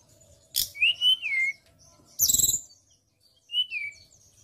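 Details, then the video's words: ['A white-browed shortwing sings for a songbird training lure: a sharp click, then a wavering whistle falling away, a loud buzzy rattle, and a shorter falling whistle after a pause.'] "TLEDEKAN GUNUNG GACOR,BESETAN KEREN ,SUARA PLONG"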